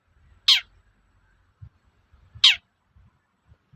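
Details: Toet-toet call of a long-tailed shrike, played to provoke raw shrikes into singing: two separate piercing notes that drop sharply in pitch, two seconds apart, over faint low rumbling.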